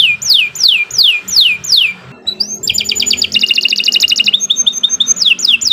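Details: Canary master recording for bird training: four loud falling whistles, a rising upslurred note, then a bright pulsing trill and a fine rapid chatter before more slurred whistles return.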